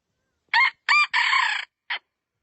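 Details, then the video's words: Rooster crowing against silence: two short harsh notes, then a long sustained wavering note, and a final short clipped note, all within two seconds. "suab qaib dib qua zoo heev"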